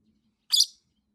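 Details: Masked lovebird at home, calling nonstop for over two minutes after a week unplayed with: a single harsh, piercing screech, short and rasping, with a faint low hum behind.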